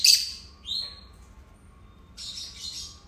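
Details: Two pet lovebirds give a sharp high chirp, a short upward-bending squeak, then a buzzy, scratchy burst of chatter after a pause; quiet background hum.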